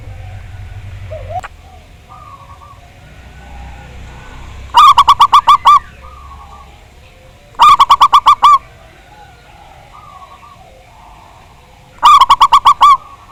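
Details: Zebra dove, a local Javanese bird, in a recording played to lure doves into singing. Loud bursts of about seven rapid, pulsed coos come at roughly three-to-four-second intervals, with softer mellow coos between them.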